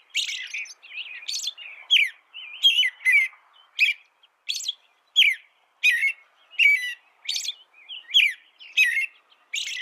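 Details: An American robin sings a chain of brief, bright phrases, mixing low caroled notes with sharp, high squeaks at an uneven but fast pace, recorded cleanly for use in bird song tutoring.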